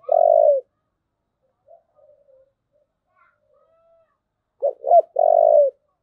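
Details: Spotted dove giving "thúc gù" coos: a long, low coo, a quiet pause with faint murmurs, then two short clipped notes and another long, sustained coo.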